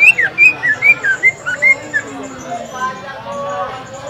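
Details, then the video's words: Green leafbird recorded at a practice contest at Lapangan Semparuk, its song meant to trigger other birds; about ten quick, clear whistled notes over two seconds, then background chatter of people. "Pancingan Suara Cucak Ijo"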